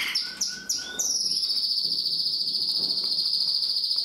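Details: Red agate mosaic canary starting with a few quick sweeping chirps, then a sustained high rolling trill held steadily for about three seconds, with a faint low hum underneath.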